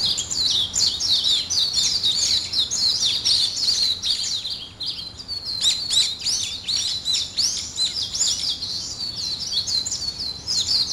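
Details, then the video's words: Morning birdsong from several birds: a dense, continuous chorus of high twittering and chirped notes, rapid and overlapping, with a brief lull near the middle before the chattering resumes. "아침을 깨우는 새소리 2 ,Birds wake up in the morning 2"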